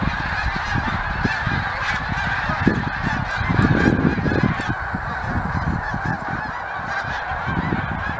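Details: Honking chorus of a huge flock of geese that stops by each year, heard through heavy low rumbling wind or handling noise.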